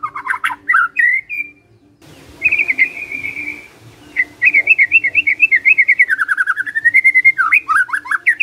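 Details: Magpie-robin song meant to make kept birds answer and sing: rich whistled phrases, a long sustained trill, then rapid rhythmic warbling that rises and falls, with a faint steady background hum.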